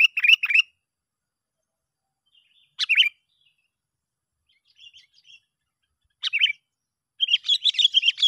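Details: Sooty-headed bulbul calling as a lure to bring other bulbuls close: short chirped phrases separated by gaps of two to three seconds, with soft faint notes between, ending in a dense twittering run.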